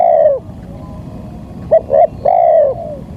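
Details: Spotted dove calling as a lure: a long falling coo ends a phrase, then two short notes lead into another sustained, gently descending coo, over faint low background noise.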